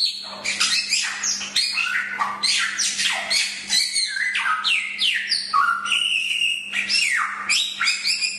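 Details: Chinese hwamei, recorded as a master song for tutoring songbirds, delivering dense, rapid phrases of high harsh chatter mixed with downward-swooping whistles, almost without pause, over a faint constant hum.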